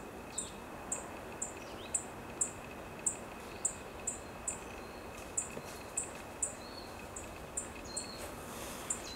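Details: Black-faced bunting in Chiba, Japan, in December 2020, gives sharp, thin, high 'tsip' calls about twice a second over a steady background hiss, with a few faint other chirps.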